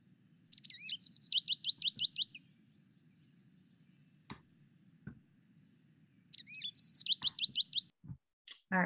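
American Goldfinch song: two bursts of high, rapid, twittering notes with quick up-and-down slurs, each lasting about two seconds, over a faint low hum.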